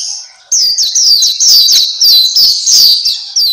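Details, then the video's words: Black-capped white-eye (Pleci Papua) masteran song: after a brief quiet start, an unbroken stream of high, slurred, fast twittering notes follows, intense and steady to the end. "Terapi Masteran Pleci Black Capped/Pleci Papua"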